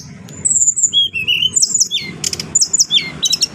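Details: Adult brown-chested jungle flycatcher kept by an owner, singing in a clear voice: high, sweet whistled phrases, some sliding downward, mixed with short buzzy bursts and quick chirps; low background hum throughout.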